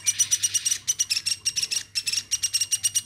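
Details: Hand-raised captive woodpecker, kept since it was a chick, calling without pause: a fast, even run of harsh, raspy pulses, about eight per second, with short breaks between bursts and a faint low hum in the room.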